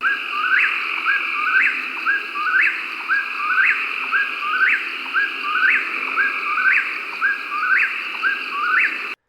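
Eastern Whip-poor-will repeating its loud whistled whip-poor-will phrase about once a second, each ending in a sharp upward snap, with a steady insect drone behind.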